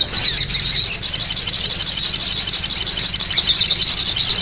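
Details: Lure recording of a noisy spiderhunter (sogok ontong): continuous shrill, high twittering with pulsing notes about twice a second, fairly even in rhythm and loudness from start to finish.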